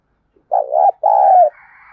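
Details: Decoy spotted dove call for luring doves into cooing: a bubbling low coo, then a longer level hoot, followed by a faint, thin higher background sound.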